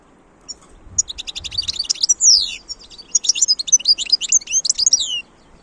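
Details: European goldfinch in song, a fast stream of liquid twitters and buzzy trills broken by a few clear, falling slurred whistles, lively and continuous for about four seconds.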